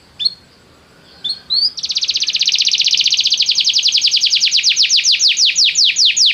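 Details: Canary song meant to get a canary singing right away: two brief chirps, then a long rapid rolling trill of rising notes that gradually slows until each note is heard separately.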